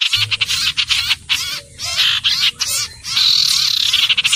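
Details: Common iora singing: after rapid scratchy chatter comes a long, sustained high whistle that slowly dips in pitch, with busy chirping around it.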